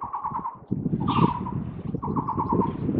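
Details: A Taiwan barbet perched on a cable, recorded 27 July 2023, gives three bursts of quick, hollow, evenly repeated mid-pitched notes over a steady low rumble of traffic.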